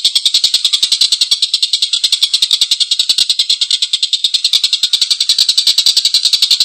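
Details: Rough, extended laughing call of a collared kingfisher, recorded for training songbirds: grating notes repeated fast and steadily, about three per second, throughout.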